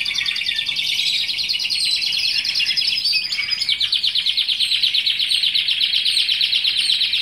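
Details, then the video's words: Timbrado canary, bird no. 269 from 2015, sings a continuous, high, rolling song of rapid trills and chattering phrases, unbroken throughout, with no other sounds. "Canary timbrado singing."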